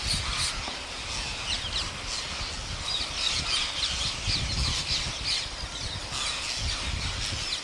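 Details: Thousands of wild parrots in rural India at a daily feeding by a farmer, grating squawks and squeals pouring out in a restless chorus, bursts of louder shrieks throughout.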